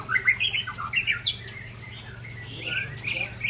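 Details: White-rumped shama of Ujong Pancu type, sparring in song with a Tangse shama: short whistled and chattering phrases mostly in the upper register, quick burst in the first second and a half, then quieter rising notes with a steady low hum beneath.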